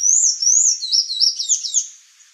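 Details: Sayaca tanager song: two drawn-out high squeaky slurs followed by a rapid chattering jumble of thin twisting notes, fading out after two seconds.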